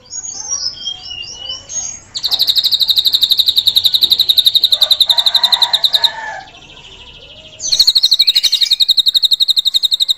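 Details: Drongo song with cililin imitation meant to teach other songbirds: short twittering phrases, then bursts of very rapid, regular high whistled pulses broken by a brief quieter gap.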